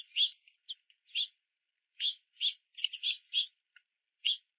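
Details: Young house finches waiting at and below a backyard feeder in the rain, begging parents for sunflower seeds; scattered high, harsh chirps come singly and in tight clusters, with short soft notes between louder bursts.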